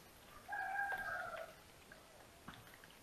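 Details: Little owl, a ringed female, calling at dawn inside an attic nest at Tiszalök, Hungary, near Hortobágy National Park, 28 November 2021, nest camera: a single harmonic mewing note lasting about one second, then quiet rustling.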